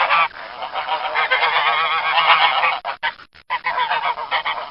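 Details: Loud, brassy honking of domestic geese, steady and overlapping for nearly three seconds, then splintering into quick separate bursts divided by short gaps.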